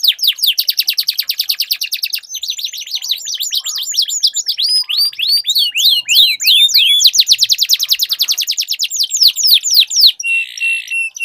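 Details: Canary duel with long rolls. Fast, even trills of repeated high notes alternate with swooping whistled slurs, and a short buzzy burst comes near the end.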